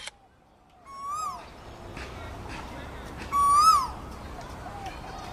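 An Asian koel gives two loud, rising whistled notes about two and a half seconds apart over a steady background hiss.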